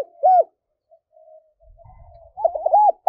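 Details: Spotted dove used as a lure bird to stir wild doves into cooing, in the 'giọng thổ' voice style: one low arched coo, a pause with soft murmurs, then a quick run of arched coos near the end.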